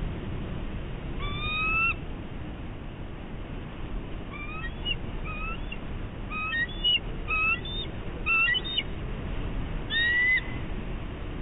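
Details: Bald eagle on high alert at its nest on Catalina Island, California, 11 March 2016, uttering a long irregular series of high, thin whistled notes, some clustered in quick chattering runs, over constant low rumbling background.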